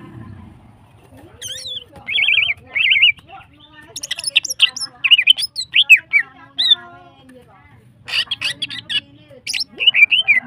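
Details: Hyperactive female greater green leafbird singing to stimulate other birds: repeated bright warbled whistles, then a long dense stretch of varied chirps, trills and slurred notes, pausing briefly before a final busy burst.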